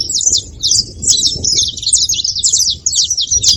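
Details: Rapid high chirps of saffron finch come about two per second in a jumbled, uneven chatter.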